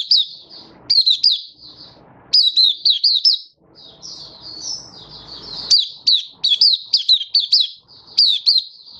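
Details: High, fast, warbling song of a caged Malaysian white-eye in Singapore on a sunny, warm 20 March 2023, in repeated bursts of sweeping chirps with softer low background noise in the gaps.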